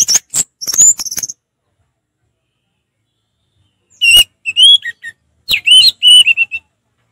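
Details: Orange-headed thrush in relaxed ngeplong song, opening with very high thin whistles and chips, then after a long silence two phrases of clear warbled whistles with slurred inflections.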